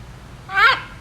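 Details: A male zoo Green-winged Macaw, an animal ambassador, gives one brief, harsh, nasal squawk rich in overtones, lasting about a third of a second, against a quiet indoor background.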